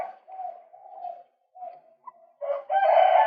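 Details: Male white-breasted waterhen used to lure birds, giving low drawn-out croaking phrases and then a sudden loud, harsh, rasping burst that fills the last second.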